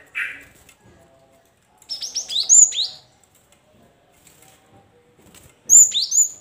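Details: Cinereous tit song used to lure caged birds of the same kind into singing and answering: a brief buzzy note, then bursts of sharp high whistled notes sweeping down, with a second burst near the end and faint low murmuring between.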